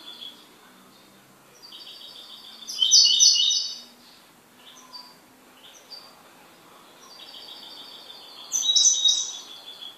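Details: Kept goldfinch giving repeated high, liquid twittering phrases, with louder bursts of rapid tinkling notes about five seconds apart and softer thin whistles between them.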